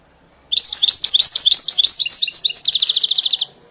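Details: Caged goldfinch trained to a hybrid's "Mili" song delivers about two seconds of bright, tumbling twitters. It closes with a fast, regular trill of roughly fifteen evenly spaced notes, with a quiet background.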